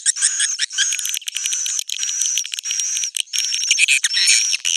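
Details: Swiftlet roosting call meant to draw swiftlets in: almost continuous raspy, high chatter made of rapid clicking pulses, broken by a few brief pauses, with faint whistled notes overhead.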